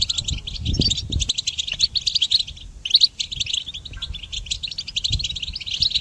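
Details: Goldfinch song used for training songbirds: a rapid, unbroken twittering of high, tinkling notes and buzzy trills with brief pauses, over low thumping knocks in the first second and again near the fifth.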